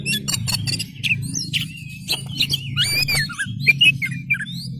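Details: Energetic oriental magpie-robin with spread tail giving a lure song for other magpie-robins to answer: rapid clicks and buzzy bursts leading into looping, wavering whistled phrases and short twisted notes, with a low background hum.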